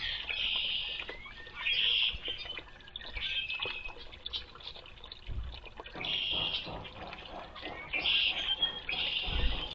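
Red-winged Blackbird giving harsh, buzzy, trilled bursts about every two to three seconds, with soft thumps and a watery background.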